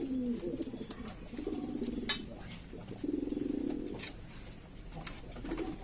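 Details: A flock of domestic pigeons from East Lombok, West Nusa Tenggara, calling noisily: throaty, pulsing coos that rise and fall in bouts, backed by rustling and occasional sharp clicks.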